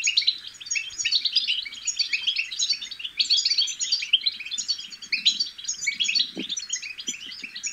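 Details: Babbling of young European goldfinches, meant to spur adult goldfinches into song; a steady mass of rapid, high, tinkling chirps from several birds, with a brief low knock near the end.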